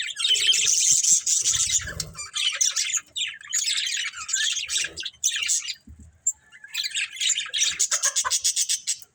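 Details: Breeding pair of budgies giving long runs of rapid, raspy high chatter, a brief lull with soft clicks, then quick pulsed chirping repeated several times a second; faint low bumps early on.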